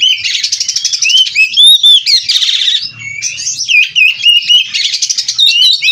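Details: Captive oriental magpie-robin (kacer) in full song with 'isian' mimicry: pulsed buzzy rattles, sharp whistled slurs and wavering warbles in quick alternation, continuous throughout.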